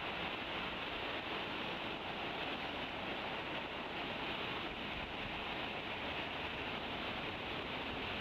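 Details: Steady broadband wind and rushing noise at a nest site, with no distinct animal call.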